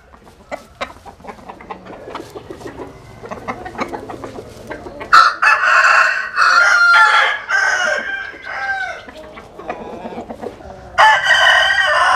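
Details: Roosters sunning themselves in southern Vietnam. Busy clucking and clicking fill the first five seconds, a long, loud, strained crow follows, then softer clucks, and a final powerful crow starts near the end.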